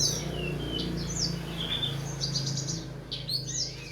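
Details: Tutor song for training cage birds, called masteran: sparse whistled notes, short downslurs and a brief chattering burst, set against a steady low droning hum.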